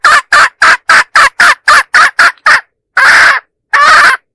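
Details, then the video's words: Hen decoy sound used to attract roosters: ten quick harsh notes in a regular run, then two longer, rasping squawks after short gaps. "Suab poj qaib seev dib tuaj zoo tiag tiag"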